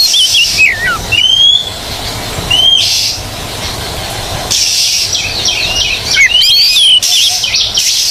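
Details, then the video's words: Oriental magpie-robin song from a training recording for stalled kacer: scattered rising and falling whistles early, a long quieter stretch of background hiss, then a busy burst of slurred chirps and warbles. "MASTERAN TERBARU KACER GACOR..!! 100% TERAPI KACER MACET BUNYI DI JAMIN LANGSUNG NYAUT"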